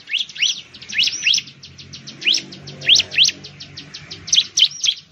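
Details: Bar-winged prinia, locally called ciblek or perenjak jawa, from Indonesia, where it lives in plantations, rice fields and villages. Loud, rapid series of sharp rising sweeps and chips, about four per second, over a low background rumble.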